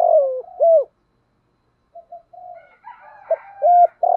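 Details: Decoy spotted dove cooing to provoke wild birds: a long falling coo and a rounded coo, a pause, then soft low murmurs with faint higher twittering and a further run of clipped coos.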